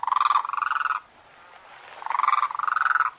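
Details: Crane giving rolling, trilled trumpeting calls, two long rattling phrases separated by a one-second pause.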